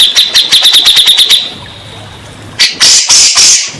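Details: Grey-cheeked bulbul, used to coax stressed birds into answering. A rapid string of high, clipped chips fades into a short quiet gap, then loud, harsh, hissing bursts.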